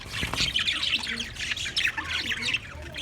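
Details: Budgerigar singing recorded 14 March 2024: busy chattering warble of short chirps and squawky notes, continuous, with a low thump near the start.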